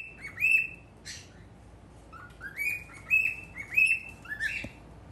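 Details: Pet male cockatiel facing a mirror gives bright whistled chirps, several level notes repeated about once a second, with a low slurred note and a brief rustle near the start.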